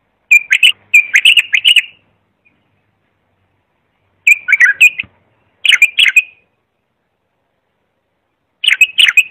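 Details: Clean bulbul singing offered to teach young birds: repeated short phrases of bright, rolling whistles, several bursts spaced a few seconds apart in otherwise silent surroundings.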